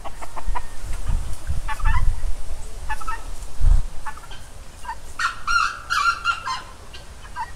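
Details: A rooster gives scattered short clucks, then a drawn-out, wavering crow lasting over a second, with low thumps and a constant low hum underneath.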